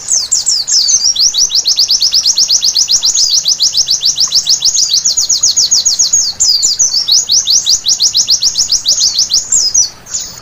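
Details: White-eye singing at night, used as therapy to make birds sing vigorously: a sustained, very fast trill of high, sharply descending chips, occasionally interrupted by brief tangled twitters, fading at the very end.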